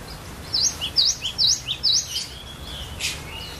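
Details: Varied song of a cinereous tit, kept as a training lure for other birds: four crisp V-shaped high notes in quick succession, each followed by a softer lower note, then a brief fading warble.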